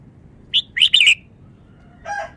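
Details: Rapid song of a red-whiskered bulbul, called a Vietnamese bird: a quick string of sharp, bright chirps, a pause, then a fuller harmonic whistled note near the end.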